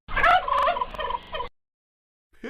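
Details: Turkey (Meleagris gallopavo), gobble.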